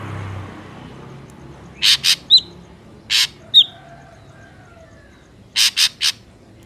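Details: Ashy drongo song played as a lure for trapping birds: harsh, buzzy broadband notes in clusters of two and three, with short down-slurred whistles between them, set against a quiet, faintly hissing background.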